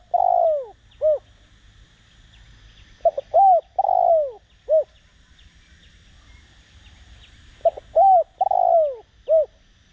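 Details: Decoy spotted dove cooing in the Đồng Rặc voice style to stir other doves to coo: three repeated phrases, each a clipped opening note, a rounded coo, a long falling drawn-out coo and a brief final note, separated by quiet pauses.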